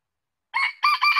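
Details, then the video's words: Red junglefowl crow, cut short: a brief harsh first syllable then the start of a longer strained middle phrase, following half a second of silence. "Suara ayam hutan | Chicken fowl sound"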